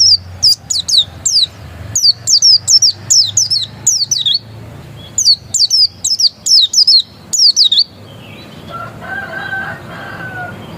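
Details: Pleci dakun, an Oriental white-eye described as still original, gives about eight seconds of quick, piercing, down-slurred whistled notes in tight groups, then falls quiet amid soft background noise.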